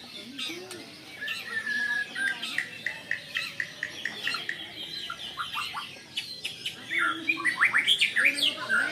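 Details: Excited white-rumped shama confronting a rival: a long, busy song mixing clear whistles, low slurred notes, rapid chattering clicks and scratchy phrases, getting faster and denser toward the end.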